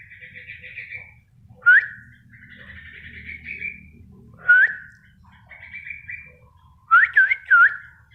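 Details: Spotted bulbul singing actively: short loud upslurred whistles separated by softer buzzy, wavering phrases, ending in a quick burst of three bright looping whistles.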